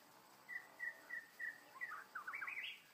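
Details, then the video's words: White-rumped shama in the wild, described as a trapped, angry bird: a run of five short chirps about a third of a second apart, then a rapid, warbling jumble of rising and falling notes. "Birds White-rumped shama: Trapping A Angry Bird, Birdsong Chirping In The Wild"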